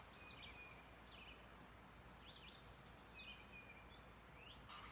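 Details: Tufted Titmouse giving faint, clear, high down-slurred whistles, 'peter peter' notes repeated about once a second over a steady hiss of background noise; heard in a backyard neighbourhood in July.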